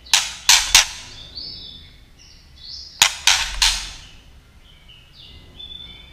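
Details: Female white-rumped shama calling to stir up males: two clusters of loud, sharp clicking tack notes, each three in quick succession, with soft high whistled fragments between.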